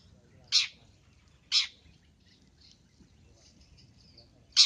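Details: Long-tailed shrike luring call: short, loud, rasping scratchy bursts repeated roughly every second, with faint soft high notes in the gaps.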